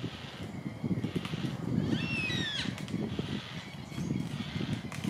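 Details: Yellow-tailed black cockatoo at Tamar Island Wetlands, Launceston, Tasmania, Australia, dated 090620, gives a single drawn-out wailing call under a second long, sliding slightly downward, over a steady low rumble of wind or distant traffic.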